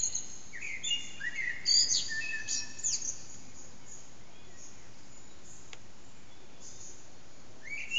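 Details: Eurasian blackbird's dawn song near 4:30am, bird hidden, sound amplified by backyard echo, HTC Desire recording: warbled phrases with piercing high twitters in the first three seconds, then hiss, a faint click and the start of another phrase at the end.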